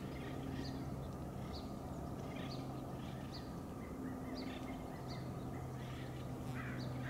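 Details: Acorn woodpeckers calling with brief, harsh notes repeated roughly every half second to second, some doubled, against a constant low-pitched rumble and faint hum.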